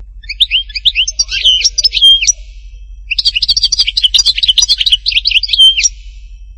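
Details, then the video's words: Two bursts of goldfinch song from Htatba, Tipaza, each a fast tumble of tinkling, twittering notes ending in a short clear whistle, with a brief pause between them. "chant chardonneret htatba tipaza حسون حطاطبة"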